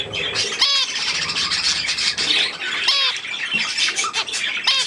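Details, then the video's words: On 3 May 2024 budgerigars and young at millet keep up high scratchy chatter, with three distinct curved, falling squawks spaced about two seconds apart. "Hirse und die Jungen Wellis"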